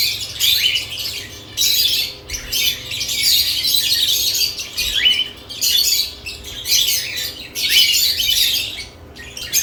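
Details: Pet lovebirds busy at their nest boxes produce waves of shrill, scratchy chatter that rise and fall every second or two, with brief quiet pauses between bursts.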